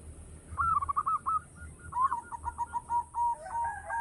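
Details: Local Indonesian zebra dove, a loud, active singer used as a lure for other doves, gives a quick run of short cooing notes near one pitch, then a longer stuttering series of rapid coos ending in drawn-out tones.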